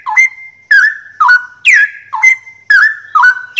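Straw-headed bulbul gives loud, clear whistled phrases about twice a second, each a quick swooping note that settles into a steady mid-pitched tone.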